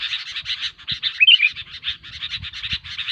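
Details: Sooty-headed Bulbul lure sound for trapping, noisy: quick pulsed chattering broken by a bright rising-and-falling whistled phrase in the middle, then chattering resumes.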